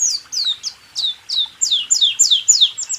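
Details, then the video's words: Caged-songbird training recording of white-eye song, made of quick high downslurred whistled notes repeated about three times a second, some doubled, on a clean background. "Masteran burung pleci..rool tembak"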